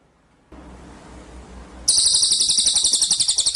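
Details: Cililin bird singing gacor-style: a loud, fast run of high, shrill trilled notes pulsing several times a second, starting abruptly after a quieter stretch of low background rumble.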